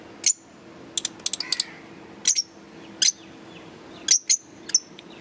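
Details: Green Fischer's lovebirds chirping: sharp, very high, clipped chirps, some in quick clusters of three or four, others single, scattered over a faint steady low hum.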